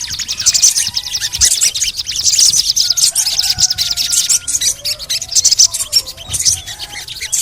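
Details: Little spiderhunter (sogon) calling continuously in high, dense chirps and rattles, with thin descending whistles from other birds in the background.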